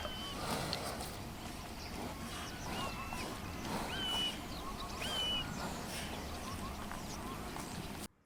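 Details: A distant Common Buzzard calls in Kent on 13 September, in autumn after days of rain and high winds, giving thin, faint mewing calls about every second, each a brief high slur, over a steady wind-like rumble.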